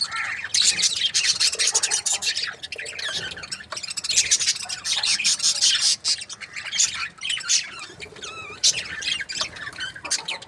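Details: Budgerigars in breeding pairs chirping: dense, continuous high chatter of squawks and warbles from several birds, with brief pauses around three and six seconds.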